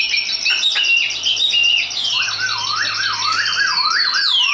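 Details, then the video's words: A hand-tamed Chinese hwamei, described as a high singer good for competition, sings loud, varied whistled phrases: high clear notes first, then a lower run of rolling, wavering notes over a faint steady hum. "Họa mi số 1129 Chim thuần sách tay hót cao"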